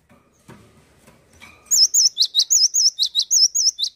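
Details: Cinereous tit launching into a steady, rapid series of wavering whistled notes paired with sharp high chips, about four per second, after a few soft background knocks.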